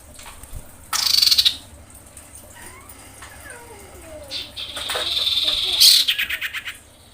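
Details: Lure recording of a breeding female common iora screaming for males: loud scratchy pulsed bursts at the start and end, with softer slurred whistles and a drawn-out hiss in between.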